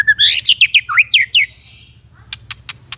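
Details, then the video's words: Energetic White-rumped shama song for training young shamas and ones that stopped singing: a dense run of loud, sweeping, downslurred chirps and whistles, then a quiet spell with sharp isolated clicks over low hum. "MASTERAN MURAI BAHAN DAN MURAI MANDEK ( shama bird singing )"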